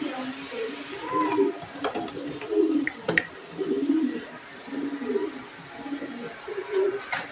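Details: An imported black Show King pigeon pair, male and female, gives throaty rolling coos roughly every second or two indoors, with sharp clicks and tapping sounds between phrases.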